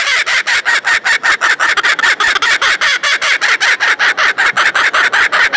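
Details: Laughing kookaburra at a poultry show exhibition in Beauvais, Oise, France, in May 2019, gives a loud, harsh cackle of rapid, evenly repeated notes, about five a second, rolling on without a break.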